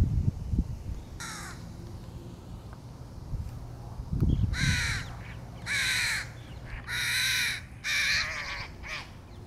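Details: Hoarse caws from a crow feeding young in 2022. A single call comes first, then a cluster of five or six louder, drawn-out rasping caws toward the end, with faint low noise beneath.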